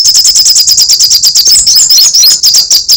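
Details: Sunbird (sogok ontong or srigati) in lively form giving crecetan, a dense, very high chattering song of rapid ticking notes about fifteen per second, with a short shriller burst near the middle.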